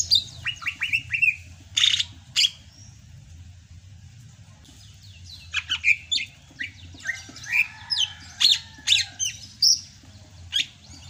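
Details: Sumatran greater green leafbird singing in the rainy season: lively varied phrases of sharp high notes, whistled slurs and quick chips, separated by a short quiet gap, low background hum throughout.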